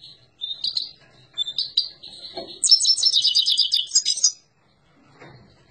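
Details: Himalayan goldfinch song: a few thin whistled notes open, then a rapid buzzy, rattling trill for about two seconds before stopping abruptly. A short low thump falls midway, with a faint rustle near the end.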